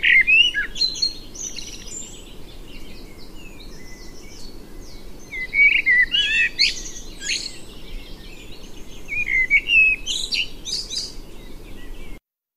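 A male blackbird sings rich, fluty warbled phrases, each trailing into a squeaky twitter, repeated every few seconds over a steady low hum.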